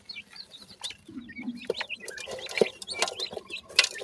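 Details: Feeding grey francolin chicks at the nest call with dense, overlapping high peeps, some slurred up or down, almost continuous, with clicking taps and a brief low rumble.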